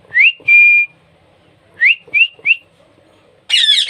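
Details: Baby parrot being hand-fed: short rising whistled squeaks, one held steady for a moment, then three quick upswept peeps, ending in a harsh, noisy squawk.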